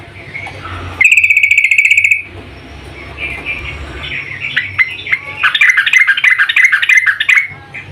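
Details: Female sooty-headed bulbul calling to a male: a loud, fast buzzy trill of about one second, a pause, then a lively stream of sharp, varied chirps and twitters over a low background rumble.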